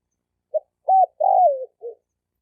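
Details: Calling male spotted dove trying to draw in females, from 2020. One full phrase: a clipped note, a rounded coo, a drawn-out coo sliding downward, and a quiet final note. No background sound.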